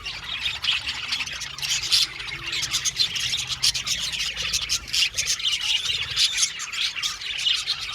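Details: Australian budgerigar colony in an aviary, lively high-pitched chirping and chattering from many birds, quick sharp notes pulsing over a constant warbling backdrop.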